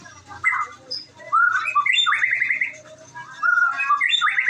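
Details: White-rumped shama from Indonesia in varied song: short slurred and warbled phrases, some rising, separated by brief pauses, with chattering notes mixed in over a faint low hum.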